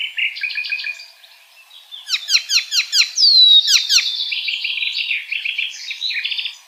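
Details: Icterine warbler in the wild, in a fast, varied song: buzzy chatters, a run of quick down-slurred notes about four per second, a clear high whistle, then scratchy twittering.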